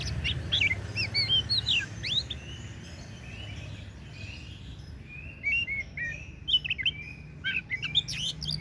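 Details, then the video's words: Oriental magpie-robin of the kacer daput type singing bursts of sharp, varied whistled notes and chirps, pausing between phrases, over a steady low rumbling background noise. "KICAUAN KACER DAPUT MEMPESONA"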